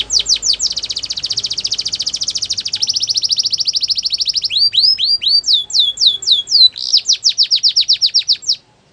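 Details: Canary training song featuring a long rapid rolling trill, then several looping swept whistles and a final series of quick descending notes.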